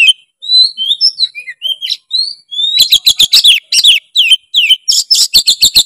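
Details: White-rumped shama singing as a master song: clear rising and falling whistled notes at the start, then a fast, loud sequence of harsh clicking and chattering notes.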